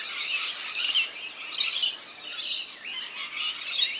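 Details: Bathing rainbow lorikeets in a backyard in NSW, Australia, keep up a busy wall of high, shrill twittering and screeches, unbroken throughout.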